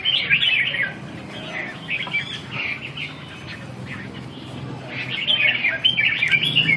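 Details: Red-whiskered bulbul training session on 2 June 2012: a lively warbled phrase at the start, softer chirps, then another loud run of warbles near the end.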